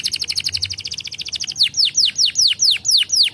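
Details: Canary song used to bring young canaries into breeding condition: a rapid rattling trill of short notes followed by evenly spaced, clear downward-swooping whistles.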